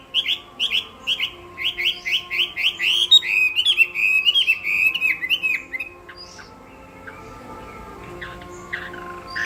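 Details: Chinese hwamei, contest singing: a fast string of repeated whistled notes swells into a tumbling, varied song for about six seconds, then fades to quiet with only scattered faint chips.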